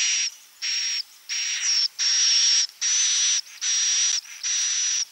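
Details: Klepek-klepek style roosting call of the edible-nest swiftlet, meant to draw swiftlets in: seven buzzy, hiss-like pulses about half a second long, each carrying a fine high whistle, repeating steadily about every three-quarters of a second against silence.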